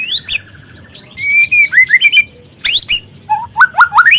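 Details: Young White-rumped shama with speckled plumage singing as a lure to trigger song: a high rising note, a chain of quick descending whistled slurs, sharp clicks, then three rapid upslurred whistles.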